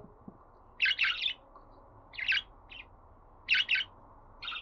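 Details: Budgerigar producing grouped squawky chirps in short clusters, three main bursts over a few seconds, over a quiet steady hum.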